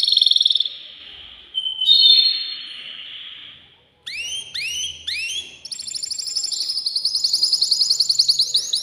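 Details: Male canary, caged and agitated, singing to arouse a female for mating: a pulsed trill and sustained whistles, a brief silence, then repeated rising swept notes and a long, rapidly pulsing high trill.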